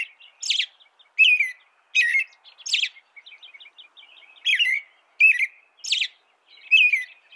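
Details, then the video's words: Song of an American robin, a string of short, bright warbled phrases about twice a second, with soft twittering filling a brief gap midway and high squeaky edges on several notes. "canto de robin americano AMERICAN ROBIN"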